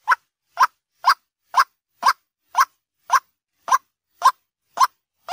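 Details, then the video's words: White-breasted waterhen call played as a daytime lure: a single short, hollow note repeated steadily about twice a second, each note alike, against a silent background. "Suara Ruak ruak pikat Siang hari | waterhen sound"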